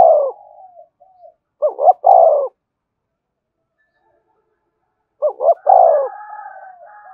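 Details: Spotted dove decoy cooing to provoke and lure wild doves back to the perch: a low warbling coo, then a pause, then two short rising notes and a longer falling coo, repeated once after about three seconds of silence.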